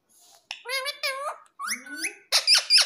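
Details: Pet talking parrot indoors in a small room imitating human speech, said to say papa and mummy: a few speech-like harmonic syllables in quick succession, ending with three sharp, shrill squeaks.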